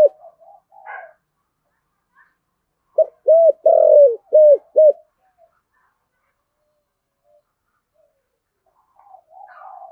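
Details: Spotted dove kept as a decoy, cooing in the 'giọng thổ' voice style to stir up wild doves: a single quick phrase of four low hollow coos midway, with faint soft chirps near the start and end.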